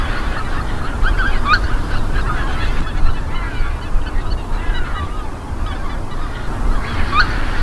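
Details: Winter flock of greater white-fronted geese in Midden Delfland, the Netherlands, January 2020; distant high yelping calls overlap continuously above a heavy low rumble of wind or traffic.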